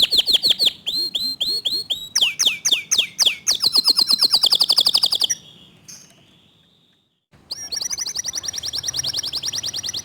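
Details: Fast, tight 'tembakan' song of a local canary: clipped down-slurred whistles speed into a dense high trill, then fade to a short silence before another rapid trill begins.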